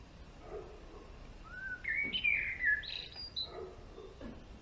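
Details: Male European greenfinch singing one bright phrase of quick whistled and twittering notes that jump and slide between mid and high pitch, fairly loud over a soft background hiss.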